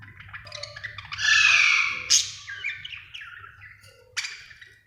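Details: Happy budgerigar chirping: a loud, buzzy warble held for about a second, then quicker descending chirps and a sharp closing squeak, over a faint low hum.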